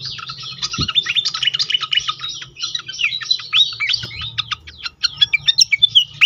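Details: Pied fantail used to provoke other fantails into song: a dense, fast chatter of high squeaky chips, about three to four per second, breaking into evenly spaced sharp notes near the end; two brief low knocks.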